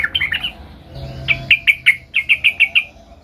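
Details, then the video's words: Young sooty-headed bulbul working on its rolling song: a quick warbled opening, then a steady series of about ten clear, slightly descending notes spaced evenly, with faint low hum behind. "suara trucukan gacor belajar Ngerol"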